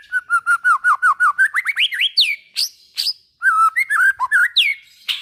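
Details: White-rumped shama song to stimulate other shamas: a fast string of about ten identical whistled notes, then rising slurred whistles and a burst of varied warbled phrases.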